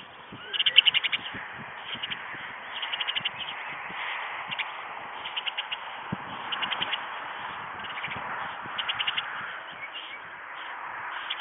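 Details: White storks at a nest in Ostrołęka, Poland, during feeding; short bursts of rapid rattling pulses recur every one to two seconds over a steady background hiss.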